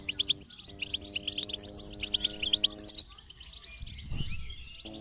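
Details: Goldfinch twittering played to coax a silent goldfinch into song: repeated bright chirps and short trilled runs, over low held musical tones that stop at three seconds, then a brief low rumble.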